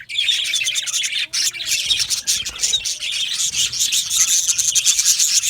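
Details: Yellow male budgerigars kept as an aviary colony, steady overlapping chatter of harsh, rapid chirps and warbling, with a faint low tonal hum in the background during the first two seconds.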